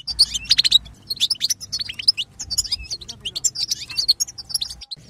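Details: European goldfinch babbling song, played to excite other goldfinches: a dense, fast twittering of high, sharp chirps and short buzzy trills in bursts, with brief pauses and a faint low hum underneath.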